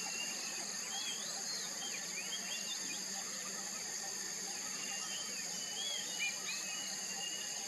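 Rufous-bellied swallows give short, scratchy twittering chirps, several overlapping, over a steady high insect drone and faint low hum.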